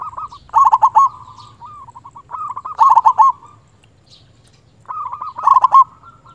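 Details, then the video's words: Local zebra dove in full voice, calling a rival and used to stimulate quiet birds: three loud bursts of quick, rolling coos roughly every two and a half seconds, each tailing off into gentler notes. "Perkutut lokal gacor suara BESAR Ampuh memanggil lawan bunyi EMOSI Manggung"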